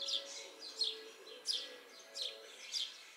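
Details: In a yard tree, house sparrows utter quick, bright, slightly descending chirps, about five in three seconds, some doubled, with a faint low hum underneath.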